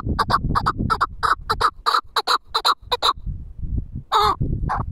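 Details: Pamir chukar partridge, four-year-old caged hunting decoy, calling in paired harmonic clucks about three per second, then a pause and one drawn-out louder note, low rumbling background.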